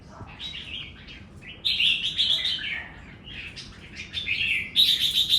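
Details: Red-whiskered bulbul delivering song expected to 'double': soft opening notes, then loud, fluty whistled phrases with rolling slurs and quick trills. A pause follows before a final bright, ringing burst, with low background rumble throughout.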